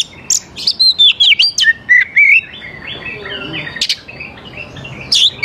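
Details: Oriental magpie-robin song for luring young wild birds to sing along: a lively string of looping whistles and trills, then softer scattered notes and a few sharp chips.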